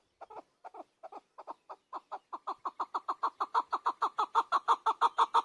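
A chukar gives a series of about thirty harsh, clucking chuck notes that start slow and hesitant, then speed up and grow louder. No other sounds are heard.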